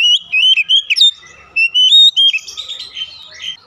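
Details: Oriental magpie-robin in full song, played to stimulate other magpie-robins: quick, bright whistled notes with rising and falling slurs, a short pause, then a scratchier, warbling run.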